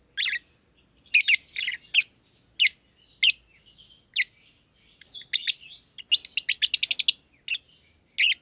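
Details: Two aviary lovebirds, a green personata and a green pied personata, chirping together: sharp broadband chirps in scattered bursts, then a fast run of evenly spaced notes near the end, on a clean quiet background.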